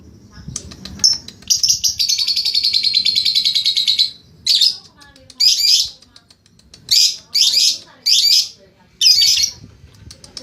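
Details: Lovebird ngekek during training: a sustained high rattling trill of rapid pulses for about two and a half seconds, followed by several separate harsh chattering notes, with low background rumble.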